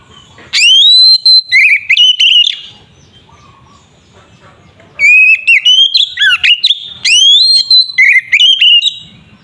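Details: White-rumped shama delivering a fighting song that provokes other shamas: two loud bouts of ringing whistles, rising sweeps and chattered trills, split by a quiet pause of over two seconds.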